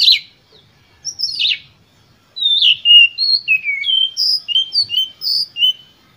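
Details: Oriental magpie-robin singing with full emotion as a lure to provoke other birds: harsh downward rasps, then a rapid run of varied clear whistled notes sliding up and down at high pitch, in a quiet setting.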